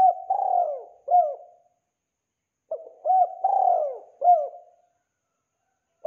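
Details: Spotted dove cooing, with song used as a lure for trapping: two clean phrases of soft, hollow coos, each a short note, a longer descending coo and a final short coo, separated by silence.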